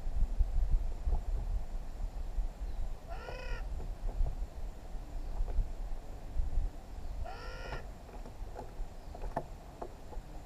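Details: Wild, free-flying New Caledonian crow family of three around a log, using tools to get food: two nasal, harmonic, slightly rising calls about four seconds apart over steady low background rumble.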